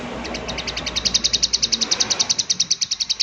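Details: Prinia in "klik klik" calling, set in natural ambience: a long, accelerating string of some thirty sharp, high-pitched clicks that grow louder and then continue at a rapid, steady pace.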